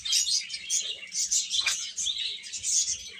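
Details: Chicks chirping as a group: dense, overlapping high peeps sounding continuously, with a few louder bursts and a brief sharper chirp near the middle.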